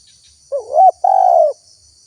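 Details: A spotted dove gives one two-part coo in a recording used to lure wild doves: a soft, wavering note climbing to a quick hook, a brief gap, then a longer level coo easing downward. A continuous high insect buzz is present.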